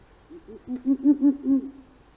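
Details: Long-eared owl recorded in central Russia: a quiet opening note, then a run of five or six mellow low hoots in quick succession, each swelling and fading, with little else audible.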